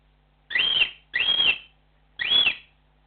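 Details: Cockatiel flock call, loud and close: three strong harsh rising-then-level whistled chirps, the first two nearly back to back and the third after a short pause.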